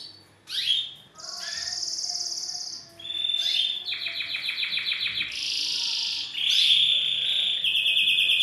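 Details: Male canary singing to a female to stimulate her into mating posture; bright high tours of rapid repeated notes, buzzy trills and sustained whistled rolls alternating through the passage.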